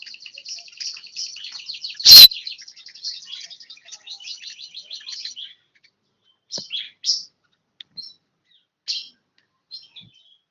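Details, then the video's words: A one-year-old bar-winged prinia pours out rapid, high chattering chirps for about five seconds, interrupted by a sharp loud click. Sparse single chips follow after a pause. "burung ciblek 1tahun"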